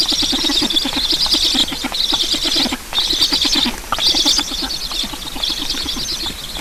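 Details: Black storks feeding at their nest in Estonia on a July 2019 morning. Pulsing hissing wheezes repeat in rhythmic waves, broken by two brief pauses, over fast low clicking notes.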